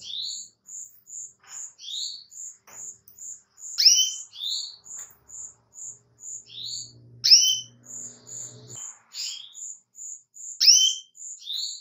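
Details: Female canary calling a male: a long run of quick, high, even notes, punctuated by rising sweeps and bold downslurred chirps every few seconds, with brief low rattling noise around the middle.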